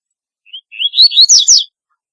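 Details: A single double-collared seedeater phrase opens with a brief thin whistle, runs into rising chirps, and ends in a quick series of loud, buzzy, descending slurred notes. No other sounds.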